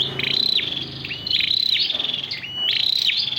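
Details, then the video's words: Red-whiskered bulbul of the red-headed 'sâu đầu đỏ' type, a kept ornamental bird, singing in the 'giọng dế' (cricket-voice) style: high, buzzy trilled phrases that rise and fall, repeated about once per second with short gaps. "Sâu đầu đỏ giọng dế"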